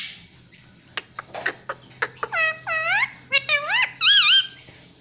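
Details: Talking pet ring-necked parrot indoors mimicking household words: starts quiet, then clicking ticks followed by a series of bending, harmonic syllables rising in loudness, ending with a warbled, wavering phrase.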